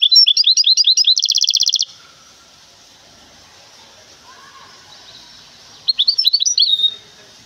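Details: Goldfinch hybrid from Temara, a cage bird, giving a quick run of high twitters and a buzzy trill, a long pause with faint hiss, then a second short burst of chirping notes.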